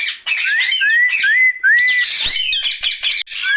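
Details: Rose-ringed parakeet, a pet ringneck talking at night: harsh squawks mixed with clear rising whistled notes, several smooth upward slides, and rapid chattering toward the end.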